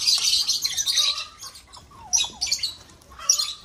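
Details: Loud, piercing screeches from aviary lovebirds kept for breeding: a long harsh squawk, then shorter shrill bursts and thin descending whistles.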